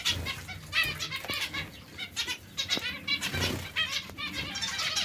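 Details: White zebra finches chatter in quick nasal, buzzy notes and short trills, overlapping with soft wing flutters from a lively group.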